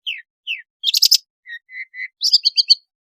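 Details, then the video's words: Varied song of a Long-tailed shrike, used to coax reluctant shrikes to sing: two downslurred whistles, a harsh chattering cluster, three flat mid-pitched notes, then a quick bright twittering run. "suara burung pentet gacor isian variasi bisa untuk pancingan cendet malas bunyi"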